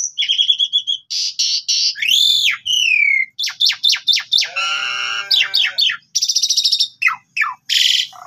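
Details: Black-winged starling song played as a lure to draw a reply from a quiet bird, full of varied phrases: rapid chattering trills, arched whistles, a long harsh buzzy note, steep down-slurred calls and high ringing bursts, nearly continuous.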